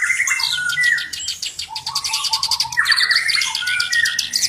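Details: Black-browed reed warbler in full, constant song, a tutor bird with a distinctive voice: dense scratchy chatter mixed with sharp high trills and lower grating notes, delivered in a fast unbroken stream.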